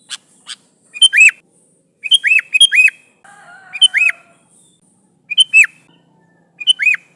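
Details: Chattering sooty-headed bulbul calling its companions, used to lure others: short sharp notes each followed by an arched, rising-falling whistle, repeated every one to one and a half seconds.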